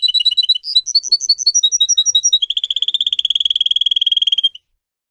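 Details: Canary singing in a training recording: quick paired chirps and loud clipped whistled notes at a steady beat. These give way to a long, fast, even rolling trill that stops abruptly.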